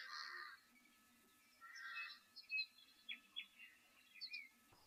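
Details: At Etosha's Okukuyu waterhole on 30 December 2023, on a clear, likely warm day with a breeze from the east, a Chinspot Batis gives clear, short whistled 'three blind mice' notes, mixed with harsher calls of pied crows.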